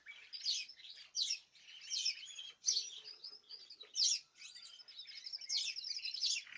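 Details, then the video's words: Caged birds singing as a group on 2026/03/14: loud clusters of high chirps come in bursts, with a thinner, rapid trill weaving through the last few seconds. "تغريد جماعي للطيور"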